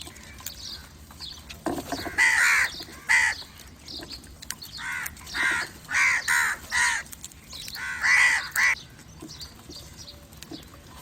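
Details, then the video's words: Crows calling to attract other crows: bursts of loud rasping caws, a pair near two and three seconds, then a rapid series of five or six, then three more, over faint twittering of small birds. "Crow call to attract crows/Crow calling other crows/crow sounds part 3"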